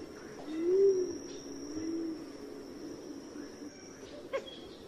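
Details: Pigeon giving a single soft, low arched coo near the start, followed by a fainter second coo, with a thin steady high hiss running underneath.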